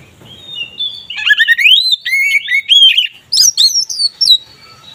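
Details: Kacer (oriental magpie-robin) singing 'ngeplong' to raise mating drive; a dense, continuous stream of rich whistled notes, some sliding upward, others high and sharp, delivered quickly.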